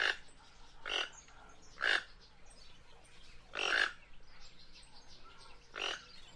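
A Guianan toucanet gives harsh, rasping croaks, five in about six seconds at an uneven pace, over a quiet background.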